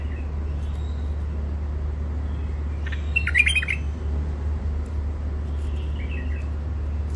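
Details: Sharp-voiced wild-caught bird, newly isolated, from Mandali in Iraq: one brief cluster of rapid, bright chirping notes in the middle, faint twittering near the end, all above a constant deep mechanical hum.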